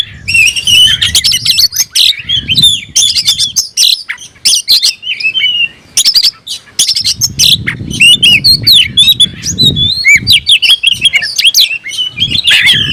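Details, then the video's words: Caged oriental magpie-robin in full song, tail spread, worked up and calling a rival to fight: loud varied whistles, sharp chips and slurred phrases in a continuous stream, with clicks and low thumps. "kicau burung KACER‼️gacor buka ekor dongkrak emosi panggil lawan tarung"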